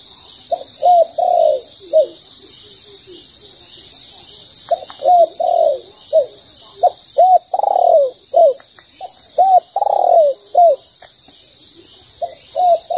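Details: Moulting spotted dove used as a decoy during trapping, cooing in phrases: clusters of short arched coos and longer rolling notes, several phrases separated by pauses of a few seconds, with constant insect buzz in the background.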